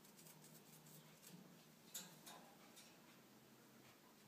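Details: Quiet indoor room hiss with a few soft taps and scratches, one brief click near the middle, and no animal calls.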